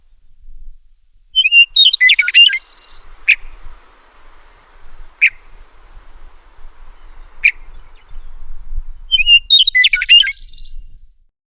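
A meadowlark gives two short, bubbling, jumbled warbled phrases about eight seconds apart. Three single sharp chips sound at even intervals between them. Only faint low rumble is heard otherwise.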